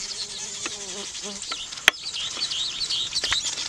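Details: Weaver birds calling during nest building: dense, squeaky chattering and buzzy twitters from several birds, with a sharp click partway through and a few low harmonic notes early on.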